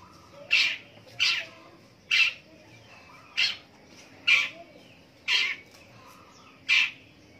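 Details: Morning calling of a long-tailed shrike: seven loud, grating rasps, each brief and roughly evenly spaced about a second apart, over quiet background.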